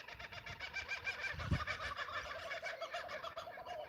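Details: Kookaburras on a mountain homestead on a foggy, very cold morning (about 1°C, up in the clouds) chorus in a rapid, rolling run of loud chuckling hoots, several notes a second, with a soft thump partway through.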